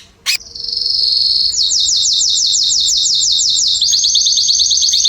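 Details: Canaries in a garden in September 2020 sing after a sharp click: a long, steady, high rolling trill of rapidly repeated notes that speeds up and shifts pitch near the end.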